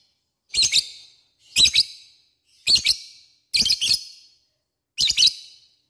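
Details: Lovebird lure call used to summon rivals: five short, harsh double-noted chirps, high and squeaky, spaced roughly one second apart with silence between them.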